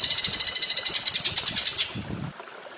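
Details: Greater green leafbird (cucak ijo) in a training track, singing in the platuk bawang style: a fast series of high, sharp, evenly pulsed notes for almost two seconds, then fading, with faint low rustling.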